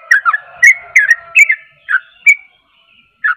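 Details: Sooty-headed bulbul in energetic song, bright whistled chirps in quick pairs and singles, a rapid run of slurred notes followed by a pause and one last lower note, in a quiet background.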